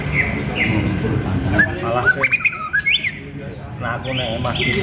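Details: A murai batu pastol, the White-rumped shama being readied as a champion, gives a few drawn whistles, then a quick sequence of rising upslurred notes over rumbling background noise.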